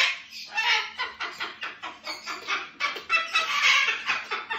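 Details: Two pet cockatoos duet before bed, trading harsh, raspy screeches in a steady stream, about three bursts a second, overlapping loudly with no other sounds.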